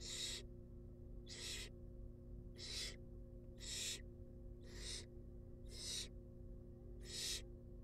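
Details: Wild barn owl chicks in a monitored nest box during feeding: seven harsh, broadband hissing bursts, each under half a second, repeated roughly every 1.2 seconds over a steady low electrical hum.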